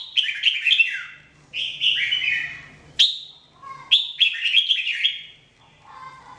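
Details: Jambul or red-whiskered bulbul singing for training: four lively bursts of liquid, chattering whistles sliding downward, each about a second long, separated by short silences, with faint low notes in the gaps.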